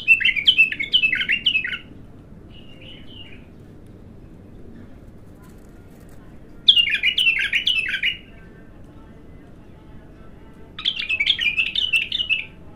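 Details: Bulbul, raw and singing for the first time: three separate bursts of rapid, tumbling chirped notes, each lasting about one to two seconds, with long silent gaps between them and faint background hum.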